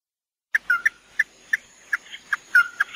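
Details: Red-eye bird (chim mắt đỏ) delivering tí nỉ-style song: sharp separate chirps and short slurred whistles spaced a quarter to half second apart, over a faint constant high tone.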